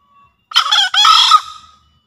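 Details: Javan green junglefowl crowing on a lure track meant to stir freshly caught or silent birds and draw others in the forest: a loud, harsh two-part crow, a short burst then a longer tail, in quiet surroundings.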